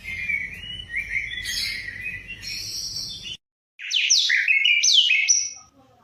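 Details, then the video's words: White-rumped shama song played to lure or trigger singing, with sweet whistled and trilled phrases, then a short silence and a louder run of sharp rising and falling notes. "Pancingan murai batu 100% efektif langsung auto gacor"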